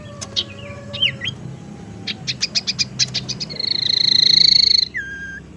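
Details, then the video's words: Tailorbird lure sound, used to attract birds and to stimulate tailorbirds that are reluctant to sing: sharp chirps and quick upslurs, then a rapid run of clipped notes and a steady buzzy trill ending in a short whistle. "suara pancingan sirtu teras"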